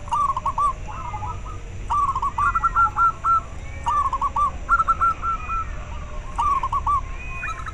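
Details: Local zebra dove, a recording meant to spur caged doves into singing and to lure wild ones; a run of short rolling, burred coo phrases, roughly one every second, some rising at the end, over faint hiss.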